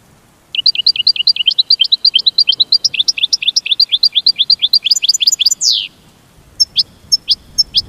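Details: Goldfinch delivering a long, rapid series of high, slurred chirps, roughly four a second. The series ends in a loud descending buzzy sweep, followed by a few scattered single notes.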